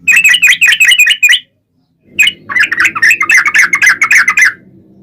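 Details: Sooty-headed bulbul song used as a lure to make other birds answer: two bursts of rapid, bubbly chattering notes around mid pitch, quick and loud, separated by a short silence, with a faint low hum beneath the second burst.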